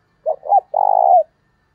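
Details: Spotted dove giving a vigorous urging call to lure wild doves during decoy training: one phrase of two quick clipped coos, then a sustained, throbbing purr that dips at the end.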